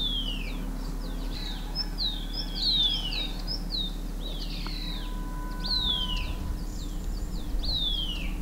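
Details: Green-backed tit foraging, flushing insects from shrubs and feeding on the ground; a lively run of sharp, high, downslurred whistled chirps, several overlapping in quick bursts, over a steady low hum.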